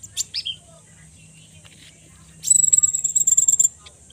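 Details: Konin, a songbird from the Indonesian songbird hobby scene, giving a loud, rapid, buzzy high-pitched trill of about a dozen pulses lasting just over a second, preceded by a few brief sharp chirps and faint background noise.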